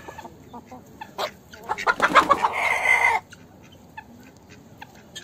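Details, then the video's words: Chicken in the farmyard, a quick run of clucks building to a loud harsh squawk lasting about a second, then soft scattered clucks and faint background noise. "GALINHA CANTANDO NO TERREIRO DA FAZENDA. Som da Galinha. Galinha cacarejando."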